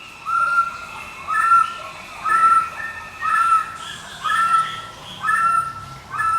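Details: White-rumped shama of the Medan type in nonstop ngekek chatter, used as a lure and as master song for training other birds. A nasal, buzzy phrase repeats about once a second over steady background hiss.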